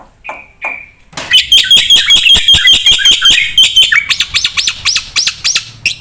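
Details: Two short whistled notes, then a Black-winged myna bursts into dense 'gacor full isian' song with rapid clicking buzzy notes and a steady high whistle, ending in quick rising chirps.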